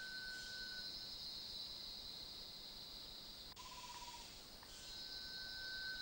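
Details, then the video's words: Rail-babbler at KrungChing Waterfall gives long, thin, even-pitched whistles, each about a second, separated by a shorter lower note, over a loud, steady insect drone. "Rail Babbler"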